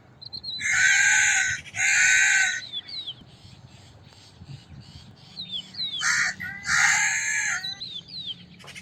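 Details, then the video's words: Crow giving loud, hoarse caws: two long raspy calls back to back, a quiet stretch of faint high chirping from other birds, then a short clipped caw followed by another long grating one. "Sound of a Crow - Crow Cawing Sound Effect"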